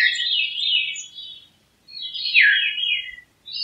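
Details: Two spiralling flute-like phrases from a Veery, each wavering through rolling high tones. The second phrase drops more steeply at its end, and silence separates the two.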